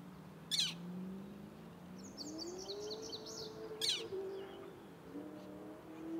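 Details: Northern flicker chicks calling for their parents at Arrowhead Lake, Orland Park, Illinois, on 18 June 2023. Two short, harsh, broadband bursts stand apart, with a thin series of high chirps between them over a steady low drone.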